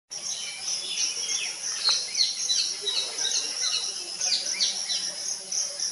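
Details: Common myna family nesting in the cavity of an old coconut tree trunk in coastal Odisha under sunny sky, three hungry juveniles near fledging being fed by a parent; rapid harsh downslurred chirps tumble over each other, with a steady high insect drone behind.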